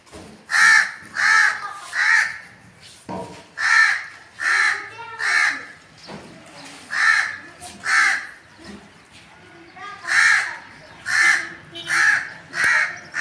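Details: A crow caws repeatedly, about sixteen harsh, nasal calls in irregular bursts of two to four, with soft background speech and a brief knock.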